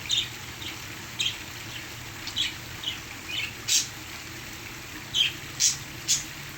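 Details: Parakeets kept as pets chirping along with a waterfall recording; soft twittering notes build to louder sharp squeaks near the end, against constant hiss and low hum.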